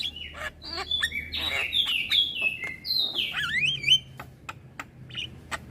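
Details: Javan myna, a young caged bird chattering without pause while nodding, delivers dense warbling: whistled slurs, a rising-and-falling squeal and grating notes, with a low hum behind.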